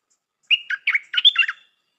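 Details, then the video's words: New decoy Stripe-throated bulbul sings a single tidy phrase: a short whistled lead note followed by four quick, bubbly, up-and-down warbles, close and clear. "นกต่อใหม่เปิดดอกน่าฟัง สำนวนดี Suara pikat merbah lekir"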